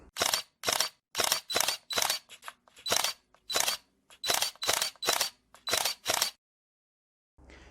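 Rapid bursts of camera shutter clicks repeat about twice a second, then stop, leaving near silence and a faint hum at the end, with no animal calls.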